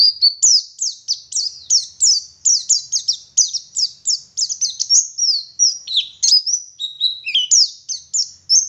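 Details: Oriental white-eye, a local West Java bird from Garut, in lively forest-style song: rapid high whistled notes, each sliding down, strung in fast repeated bursts about three per second with brief twittering runs, no other sounds.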